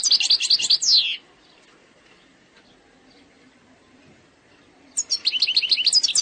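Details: Eastern-sector style song of an Algerian European goldfinch, presented as flawless: a fast twittering, buzzy phrase of about a second, a few quiet seconds, then another burst of sharp high chirps.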